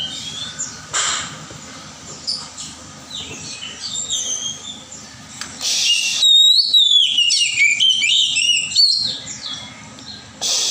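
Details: Wild forest Oriental magpie-robin. Faint, noisy distant notes at first, then a clear run of bright whistled phrases with sharp upslurred and downslurred notes in the second half.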